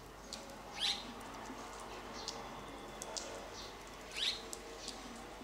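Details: Red-rumped swallow (Cecropis daurica) giving two short, sharp high chirps about three seconds apart, over faint twittering and a soft outdoor hiss.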